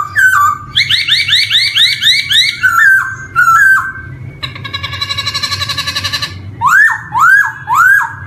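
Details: Black-throated laughingthrush song as a lure for young birds beginning to sing: a rapid run of rising chirps, short whistles, a buzzy rattle lasting two seconds, then three loud upward-sweeping whistles.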